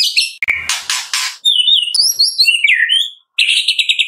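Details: In the afternoon a white-rumped shama sings 'tembakan', a lure to start another shama singing: noisy bursts at first, then high warbled, slurred whistles and a quick pulsing high trill at the end.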